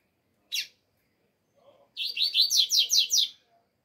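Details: Alegria-style song of a double-collared seedeater, cold weather: a lone high chip, then a rapid run of about nine bright, buzzy notes, each sliding downward, delivered in under two seconds.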